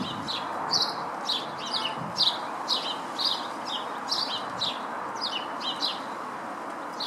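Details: Lesser redpoll in a Howdon garden, 3 May 2016, feeding on Nyjer seed. Bright, twittering chirps, some downslurred, repeat almost continuously, about two per second, above a faint hum.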